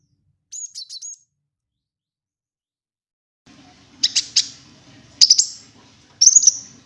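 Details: Cinereous tit lure sound, wingko type: a short trill of thin high notes, then silence, then three spaced bursts of sharp clicking chirps ending in a high whistle.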